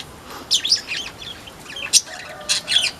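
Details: Newly settled weaver in a small aviary on Sunday 27 October 2024, giving rapid bright chirps and squeaky notes in quick clusters, a loud high click near the middle, with no other clear sounds.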